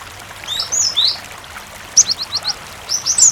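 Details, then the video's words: {'caption': 'Lure song of a cinereous tit with flowing water behind it. Soft sliding whistles give way to a quick string of four short, high descending notes, then a louder closing pair.'} "Masteran suara Burung Gelatik Batu gacor sangat ampuh pancingan gelatik berkicau"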